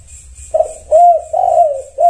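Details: Zebra dove, known locally as tekukur, answering another bird: soft mellow coos around one pitch, each note rising then falling, given in four bursts over two seconds with steady faint background hum.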